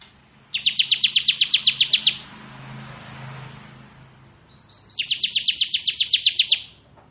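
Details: Bar-winged prinia giving ngebren-style ciblek kristal song, a tutor recording for magpie-robins; two rapid buzzy trills of about fifteen notes each, with a low rumble like passing traffic between them.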